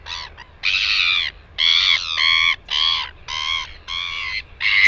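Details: In New Zealand on 9 September 2020, a northern royal albatross gives a rapid run of about seven harsh, nasal braying notes, each about half a second long, with short pauses and faint background rumble.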